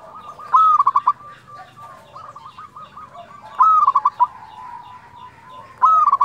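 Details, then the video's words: Frequently singing local zebra dove with flute-like 'nyuling' voice: three phrases roughly three seconds apart, each a bright held whistle dissolving into quick staccato notes, over murmuring background coos. "perkutut lokal gacor suara nyuling"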